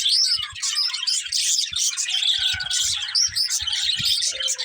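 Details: Budgies chatter in fast, high, slightly scratchy warbles and chirps, with faint soft taps in the background.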